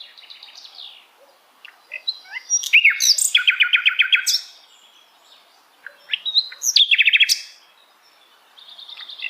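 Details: Sikatan Londo flycatcher song of high, varied phrases. Two bursts of fast buzzy trills, each lasting about two seconds, are set among scattered thin chirps against a quiet background.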